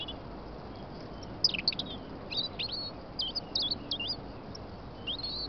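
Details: A European robin singing on a snowy morning in England: a run of high, thin, twisting notes in quick, varied phrases, pausing briefly between bursts, over a steady background hiss.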